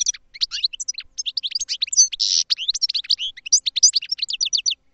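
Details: Goldfinch song: a continuous, fast, high jingling twitter of varied chirps and slurs with a brief buzzy rasp in the middle, clean with no background sound.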